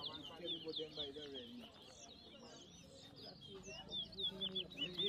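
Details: In a 2023 bird whistling contest at New Amsterdam, Berbice, Guyana, a towa towa delivers quick strings of high, sweet whistles with sliding inflections, partly covered by crowd chatter.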